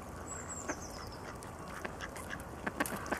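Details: Mallards at the Alte Jeetzel river, Dannenberg, recorded in winter (31 December 2012 or 23 January 2013) on a Canon IXUS 500 HS; short sharp quacks scattered irregularly, clustering near the end, after a thin high descending whistle from another bird, over constant low water noise.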